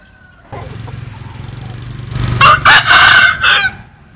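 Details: Rooster with an unusual, strange-sounding crow: after two seconds of low rumbling background, a loud harsh burst of broken, noisy crowing syllables runs for about one and a half seconds, then fades.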